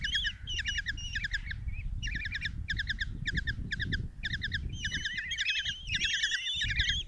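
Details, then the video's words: Common kestrel nestlings, five of them, beg as the mother delivers a mouse to their nest box in Tiszalök, Hungary, 27 June 2024; rapid shrill notes come in short bursts separated by brief gaps, growing busier toward the end. "Common Kestrels | Mom brings mouse in breakfast for five babies"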